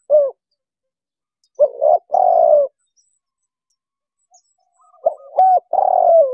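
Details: Wild spotted dove trapping lure: low coos start with a short falling note, then a double coo and a long level coo. After a pause of about two seconds a new phrase starts with slurred notes. Background clean.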